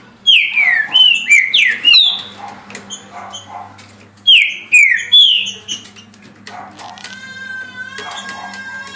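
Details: Green-winged saltator in a cage delivering two bursts of clear downslurred whistles, each of several rapid notes, followed by a steadier tonal whistle over a constant background hum; the bird sings 17 songs a minute.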